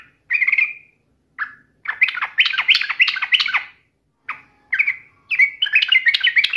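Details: Yellow-vented bulbul in provocative song toward a rival: dense bubbling chatter of overlapping liquid notes, broken by brief pauses and ending in a rolling warble.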